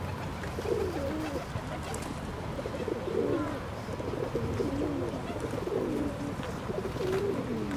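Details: Ring-necked duck calls: a series of low, soft, tonal notes with short upslurs and wavering inflections, several overlapping as if from more than one bird, over steady low background rumble.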